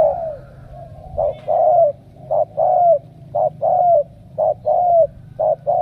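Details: Spotted dove from Cà Mau, Vietnam, one of a selected group of strong cooers: low, hollow coos in short bursts, each soft lead-in note followed by a longer falling coo, repeated about once a second with brief pauses.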